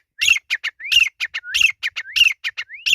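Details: Grey francolin calling in the jungle: loud, high phrases repeat about every 0.6 seconds, each a rising whistled slur followed by a quick run of two to three sharp, clipped notes. No other sounds.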